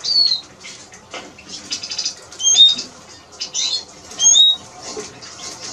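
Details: Eurasian siskin singing, with thin high whistled notes and short twittering phrases in bursts roughly every second, over a steady background of dry clicking and rustling.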